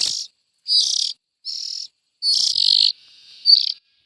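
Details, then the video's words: Young bulbul begging: four raspy, hissing bursts in quick succession, then a thinner, fading wheeze that ends on a brief bright squeal. "Tiếng chim chèo non.suab mi nyuam noog siv txaij"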